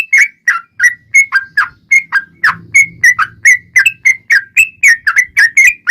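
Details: Yellow-vented bulbul in long rapid fighting-style song, used as a lure to make other bulbuls sing back: bubbly, slurred whistled notes, rising and falling, repeated about three times a second with a faint low rumble mid-way.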